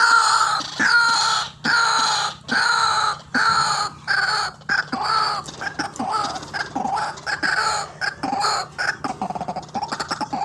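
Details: Harsh, drawn-out croaks from a white-breasted waterhen, about one each second at first, shortening into a faster string of clipped grating notes; a recording used as a lure for trapping birds.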